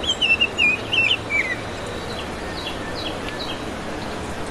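A Baltimore oriole sings one short phrase of rich, flutey whistles, slurred and stepping slightly downward, followed by faint, scattered chirps from other birds.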